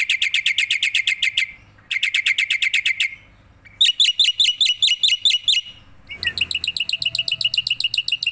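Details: Repeated bursts of rapid clear chips from a tame, head-bobbing black-winged myna, several fast series broken by short pauses, one series higher and sharper than the rest.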